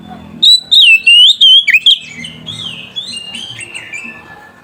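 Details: Oriental magpie-robin (kacer), an in-form singing bird, calling a rival; used as a lure for training other magpie-robins. A burst of loud, clear whistled notes sliding up and down in pitch, followed by quieter, rambling warbles.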